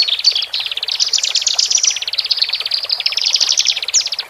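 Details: Horsfield's bush lark, male and female, used so that new caged birds adapt faster: a nonstop fast rattling trill that climbs and dips in waves, interspersed with thin high notes.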